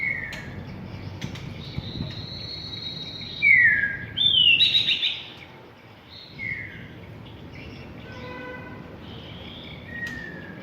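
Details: White-rumped shama song used to provoke a bird into singing and fighting; loud, clear whistled phrases with sweeping falling and rising notes, then a quieter series of spaced pure whistles, over a faint low rumble.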